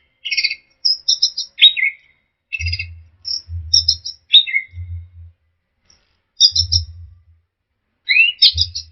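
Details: Short separated bursts of orange-headed thrush song, meant to make caged birds answer and sing: high twittering notes, downward slurs and a rising sweep, spaced by silences, with low hum in between.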